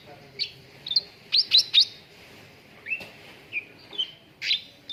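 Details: Cucak ranting song meant to train contest birds: sharp, high chirps given singly and in quick pairs, with several smooth falling whistles, irregular spacing.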